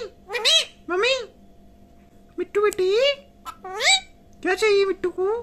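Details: Pet parrot talking, reportedly saying 'mitthu mitthu': several bursts of raspy, voice-like syllables with sliding pitch, delivered in pairs and short phrases with brief pauses, in a small room.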